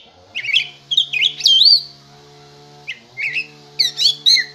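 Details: Oriental magpie-robin sings brief clusters of high whistles and scratchy trills separated by pauses, over a steady low hum.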